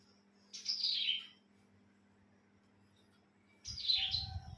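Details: On a bright morning, a pet cilang bird gives two high, downward-sliding chirps about three seconds apart, the second one overlapped by a brief low rumbling noise.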